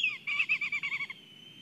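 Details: Brief excited call of a black kite at a nest in Kurzeme, Latvia, on a live nest camera: a short string of quick pulsing, quavering whistled notes fading into a thin steady tone.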